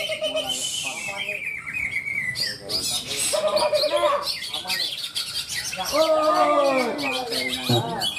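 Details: Greater green leafbirds (cucak ijo) competing in a songbird singing contest at Malinau, North Kalimantan, beside a field. Loud whistled and chattering phrases, some sliding and arched, come from several overlapping birds while people talk nearby.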